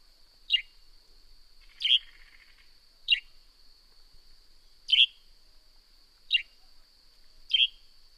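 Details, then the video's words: Northern grey-headed sparrow giving six short, sharp chirps that drop steeply in pitch. They come irregularly, roughly every one to one and a half seconds, over a steady high-pitched whine. "Northern Grey-Headed Sparrow Serenade"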